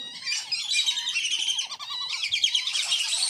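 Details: Wandering whistling ducks at a farm, a lure recording for attracting wild birds: busy high twittering chorus with a clear run of fast, evenly spaced whistled notes in the lower voice.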